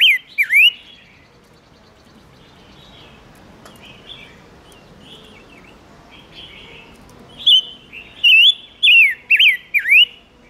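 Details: Silver-eared mesia song used as a lure to call in wild birds and excite males: a brief whistled phrase at the start, a quiet gap, then a run of loud, clear whistles swooping down and up, about one every half second.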